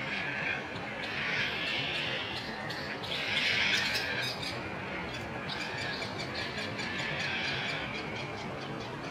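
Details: Terns in a colony nesting on the roof of an abandoned building beside the Cataraqui River, during courtship and mating; harsh grating calls from many birds overlap continuously, swelling and fading, over steady broad background noise.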